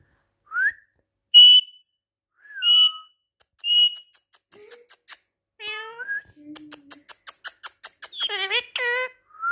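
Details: Talking Indian ringneck parakeet giving high whistled notes and nasal, harmonic speech-like syllables, then a quick run of dry clicks and ending on a burst of rapid warbled chatter.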